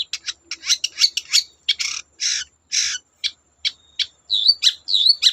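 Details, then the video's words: Long-tailed shrike song meant to provoke other shrikes into singing, a string of harsh scratchy bursts and short chattering notes, ending in a few high whistled slurs. "Burung cendet gacor Bikin cendet bahan terpancing ikut gacor"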